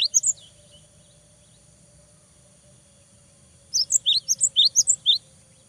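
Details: A cinereous tit sings energetically, 'gacor' style, to provoke a rival. A few high notes open the recording. After a long quiet gap, a rapid 1.5-second burst of about ten bright, alternating high and low whistled chirps follows.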